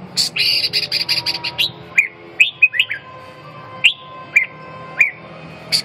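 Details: Red-whiskered bulbul singing: a rapid burst of high chirps opens, then separate slurred whistled notes follow at uneven gaps, over a steady low background hum.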